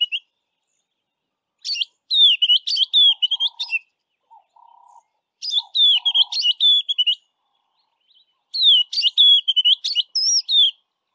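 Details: White-browed Scrub Robin west of Grahamstown singing its highly repetitive song: three bursts of quick, sweet, varied whistled phrases separated by pauses, with a few soft, low hooting notes in between.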